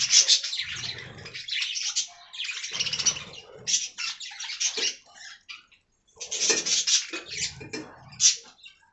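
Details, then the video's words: Aviary budgerigars giving irregular bursts of scratchy warbling and squeaky chirps with occasional sharp whistles, interrupted by quieter gaps, a low rustle under the louder passages. "Budgie Talking Compilation"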